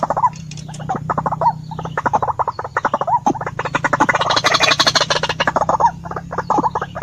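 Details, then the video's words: White-breasted waterhen uttering rapid, grating croaks that swell into a fast, dense chatter midway, then slow into separate hoarse notes, with a low constant hum in the background. "suara ruak ruak jitu"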